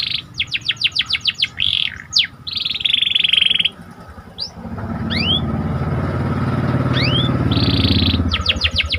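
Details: Panda canary singing to raise excitement: a run of quick descending notes, a buzzy roll and scattered sweeps, while an engine-like rumble grows loud in the second half.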